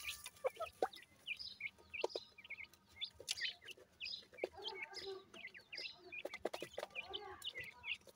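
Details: Chorus of grey francolin chicks: dense, high-pitched peeps and short falling chirps tumbling over one another, broken by occasional sharp clicks.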